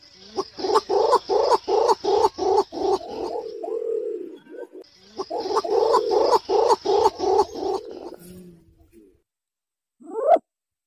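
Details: Green imperial pigeon, recorded as a lure to draw wild pigeons in: a rapid series of deep, throaty pulses, about two per second, running into a low hum, then a second pulsed burst and a short final note.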